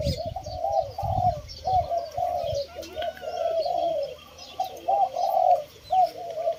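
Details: Kept spotted doves cooing for relaxed listening: mellow, rounded coo phrases repeated in an uneven rhythm about twice a second, with soft low thumps early on.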